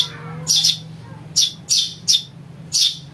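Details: House sparrow chick, a calling recording used to lure birds: loud, harsh, high chirps, some doubled, about four bursts in three seconds, with a faint low hum underneath.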